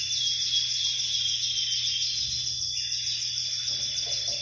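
A Spanish canary sings a continuous, high, rolling trill that runs without a break over a faint low hum.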